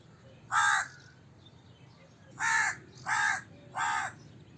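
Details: Crow cawing: four harsh, hoarse caws, one isolated then three in quick succession about every 0.7 seconds, against faint low background hum.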